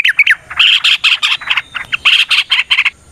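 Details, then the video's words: Yellow-vented bulbul singing energetically in combative style, meant to provoke other bulbuls into answering; harsh, bubbly chattering phrases tumble over one another in a dense, unbroken stream of squawky notes. "TRUCUKAN GACOR TARUNG ROPEL PANJANG Pancingan trucukan Agar Bunyi Jadikan Burung Trucuk Gacor Nyaut"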